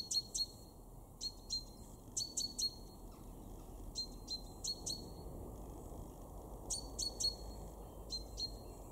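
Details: Great tit in a garden in Weener, East Frisia, in Germany's far north-west, February 2023: sharp, high two- to three-note phrases with a piercing accent, repeated in bursts about every second, over a faint low rumble.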